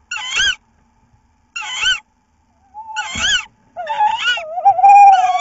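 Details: Tawny owl receiving a mouse, recorded 15 April 2018, gives three hoarse, rising-and-falling squawks about a second and a half apart, then a longer run of wavering, quavering notes.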